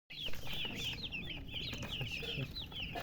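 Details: Newly hatched chicken chicks chirping loudly: a dense chorus of high, short, downslurred peeps overlapping rapidly, several per second, over a low background rumble.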